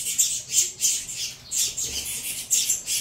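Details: Several caged saffron finch young, a Venezuela CMA x CVK 103 cross, clamour for food with raspy, sibilant bursts and a longer hiss mid-clip.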